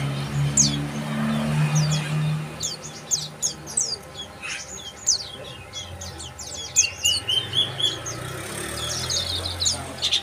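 Bar-winged prinia giving rapid, high, thin chips and twittering notes, several per second, over a low rumble of traffic and faint voices.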